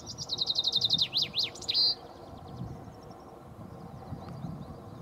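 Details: Two whiskered terns at Starven, Strabrechtse Heide, on 22 May 2014, give a quick, high chattering run of about a dozen notes ending in one drawn-out note, then quiet, over low rumbling background noise.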